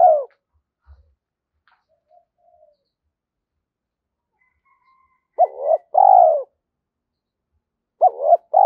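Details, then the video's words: Lure spotted dove giving its paired coo after a quiet stretch: a short rising opener and a longer falling coo, then the pattern starting again near the end; faint ticks before. "Tiếng chim cu gáy thổ pha thúc cực đỉnh"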